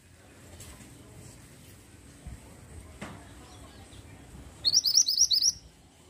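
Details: Low rumbling background noise with a faint click, then a pied bushchat delivers a short, rapid burst of about seven high, rising chirped notes.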